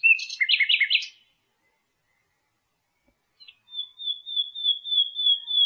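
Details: Common nightingale singing: a clear whistled note leads into a quick run of rich, repeated rising notes, then a pause before a long, even, buzzy trill held steady to the end.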